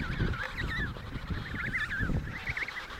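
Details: Emperor penguins in the Riiser Larsen breeding colony, Antarctica, at 72°06 S 15°06 W in November 2010; wavering, warbling calls of several birds overlap, with a low rumble of wind or handling beneath.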